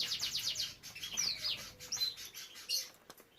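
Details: Caged canary among breeding birds and their young: rapid repeated high notes, then sweeping whistled phrases and short buzzy trills tumbling into one another, ending with a sharp click.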